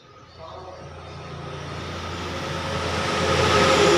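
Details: A loud mechanical roar builds steadily, with a low engine drone and a sustained hum, and no animal voice stands out.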